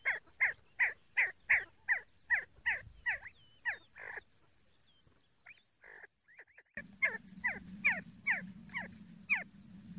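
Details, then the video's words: See-see partridge calling in a fast series of sharp, falling whistled notes, pausing midway with a few scattered soft notes, then resuming the rhythmic series over a steady low hum. "See See partridge sound Кабги Зирак Шикор"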